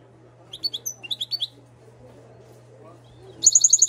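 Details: A 2022-bred Moroccan goldfinch utters a brief run of chirped, tinkling notes, then after a pause starts a fast, even series of sharp high notes. A low electrical hum runs throughout.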